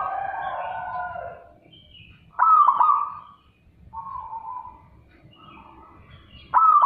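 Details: Zebra dove calling loudly: quiet overlapping coos, then forceful clicking coo bursts repeating at intervals of about four seconds, with softer single coos between them.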